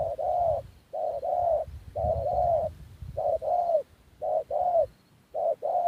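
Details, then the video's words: Spotted dove used as a decoy, giving repeated paired coos, a short hoot then a longer mellow one, in rhythmic phrases separated by brief silences. "Cu gáy kt_clip33 ( mồi bể ra lại chiến trường )"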